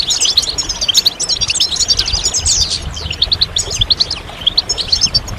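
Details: Massed European goldfinch twittering meant to encourage males to sing; bright, tinkling, high-pitched notes and quick slurred chips overlap densely, with pulses of louder phrases throughout.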